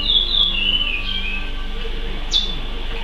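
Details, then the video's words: Curió, or chestnut-bellied seed finch, in praia song: a long, clear whistle gliding downward, then a sharp downslurred note, over low background hum. "CURIÓ PRAIA CANTADOR"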